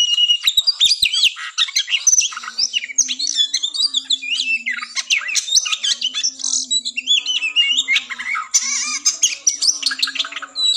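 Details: Oriental magpie-robin (kacer) in combative tarung ngobra singing meant to raise breeding drive before contests: long, relentless medley of high whistles, wavering trills, harsh rattles and buzzy notes over a steady low background hum.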